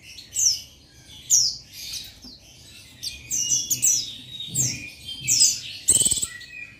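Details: Buxtoni Oriental white-eye male calling out a rival, recorded 15/7/21 as a lure to get males singing; bright, high descending chirps in quick series, ending in a rapid rattling trill.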